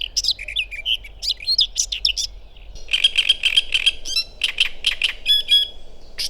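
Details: In May by a river in Małopolska, Poland, a Lesser Whitethroat sings a quiet, scratchy warble, then breaks into a fast, dry rattle of identical high notes on one pitch, with faint low background hum.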